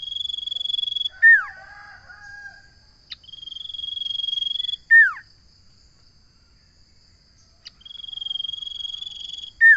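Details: Common iora repeating its song: a long, high, even trill lasting about two seconds, ending in a loud downslurred whistle, the phrase given three times several seconds apart, with soft lower notes between.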